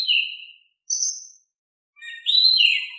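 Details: Oriental magpie-robin, a lively singing bird, in a calm-voiced song used to lure other birds into answering: clear whistled phrases sliding downward, a short high note, then a richer warbled phrase after a pause, no other sounds.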